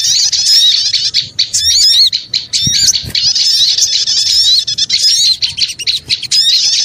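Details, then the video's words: Small birds in a lure recording give a steady, restless chatter of piercing chirps and rising whistled squeaks, a few brief dips breaking the dense chorus. "Suara Pikat Burung Kecil Ribut Ampuh"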